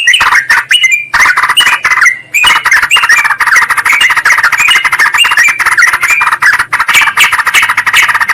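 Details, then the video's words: Noisy yellow-vented bulbul lure track meant to attract wild or quiet birds, mimicking a bird calling its rival: continuous harsh, busy chatter of many quick notes with only brief gaps, slightly squawky throughout. "suara pikat burung trucukan PALING AMPUH TERBARU/Trucukan memanggil lawan"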